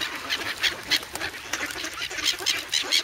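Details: Noisy, hungry grown goslings in the snow at Sloterpark, Amsterdam, on February 3, begging for bread; quick harsh honks repeated several times a second, overlapping from multiple birds, filmed on a Sanyo camera.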